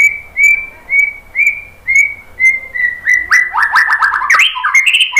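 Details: White-rumped shama, song used to provoke other birds into singing: a row of clear, rising whistles repeated about every half second, then breaking into a quick, richer run of tumbling, descending notes and a high sweeping phrase.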